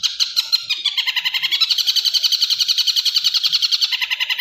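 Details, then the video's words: Long-tailed shrike masteran training song, a continuous high chattering trill of closely spaced, evenly repeated notes that runs steadily for several seconds. "masteran burung cendet"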